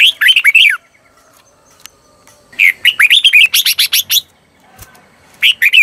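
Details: Decoy red-whiskered bulbul singing the 'hót ché' style to draw wild birds: rapid runs of bright, looping whistles and sharp chirps in dense phrases, with brief silent gaps between bursts.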